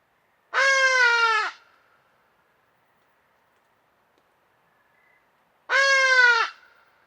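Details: Hadada ibis, Bostrychia hagedash, loud strident trumpeting call: two harsh, nasal, harmonic-rich calls about a second long, each dropping slightly in pitch, separated by roughly four seconds of near silence.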